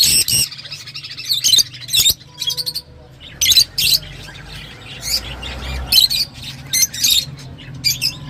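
Lovebirds give shrill, harsh squawks and chirps in short bursts every second or so over a faint low hum.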